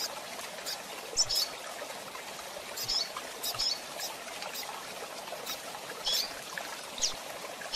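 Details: Rusty-collared seedeaters, males and females, kept birds, giving short sharp high chirps scattered at uneven gaps of about one to two seconds over a steady hiss like trickling water.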